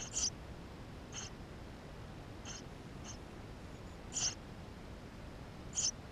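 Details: Nestling Eurasian tree sparrows inside the nest, GoPro recording: six sharp, high squeaks spaced roughly a second apart, three of them noticeably louder, over soft background noise.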